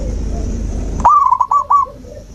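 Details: Zebra dove, in a recording meant to coax a silent dove back into song: after a second of low noise, one short bright phrase of quick warbling coos breaks in and trails off.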